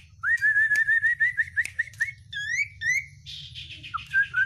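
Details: Oriental white-eye with an overflowing 'isian' song: a rapid run of short upslurred whistles, then a few bright chirps and a buzzy rattle, finishing with clear whistled notes.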